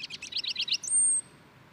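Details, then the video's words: A purple finch (Haemorhous purpureus) sings a quick run of bright, slurred warbling notes that ends in a thin, high, sustained whistle, over a quiet background. "O canto do Tentilhão roxo"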